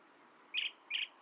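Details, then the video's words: Blue-tailed bee-eater giving two short, burry rolling notes about a third of a second apart, clear over a faint steady hiss. "Tiếng chim Trảu đuôi xanh - Blue tailed Bee eater"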